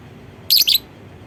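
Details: Lovebird calling to prompt other lovebirds to sing along: one shrill, high, harsh double burst, two quick squeaky notes lasting about a third of a second, over a quiet low background hum.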